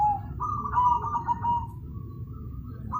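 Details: A zebra dove sings loudly with a brief coo, then a long, rapidly trilled, slightly wavering phrase that fades away. A low rumble sits underneath.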